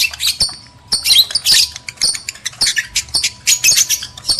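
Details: Lovebirds calling to stimulate mating in males and females: irregular clusters of piercing, scratchy high squeaks and squawks in quick succession, with short gaps between bursts.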